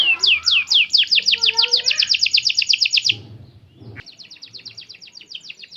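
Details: Singing canary, played as a lure to get other birds answering: a long rapid trill of evenly repeated sharp notes for three seconds, a short pause, then a quieter fast trill resumes.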